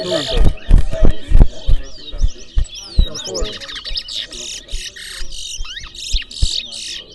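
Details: Twa-twa in a Guyanese singing race at the New Amsterdam bird ground, Berbice, 2024; fast twittering phrases and sliding whistles follow loud speech and thumps at the start, with voices continuing behind.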